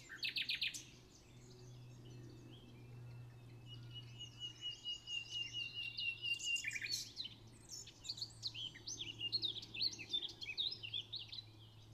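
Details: Singing common nightingale at Pulborough Brooks: brief harsh clicks, then a long steady pure whistle held about five seconds, followed by rich jumbled warbling and rapid chirps; low steady hum underneath.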